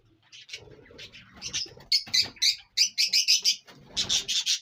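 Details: Indian ringneck parrot recorded in Punjab, Pakistan, starting with soft chatter and building into loud, strident, rapidly repeated screeches, around three each second.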